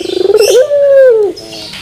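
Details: Puter pelung turtle dove song with a metallic finish. Rapid throbbing pulses lead into one long, level, sustained coo that slides down and fades.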